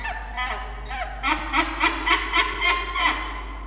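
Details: A young peregrine falcon, Yurruga, at the Orange CSU nest in NSW on 31 October 2021, makes strange harsh, rasping, nasal calls while its father sits on the ledge. A few softer notes build to about six loud, grating cries.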